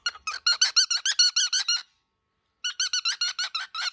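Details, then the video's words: Angry baby cockatiel giving rapid harsh, raspy squawks with strong harmonics, a fast burst of about a dozen notes, a pause of under a second, then another burst; indoors. "Baby bird -very angry cockatiel"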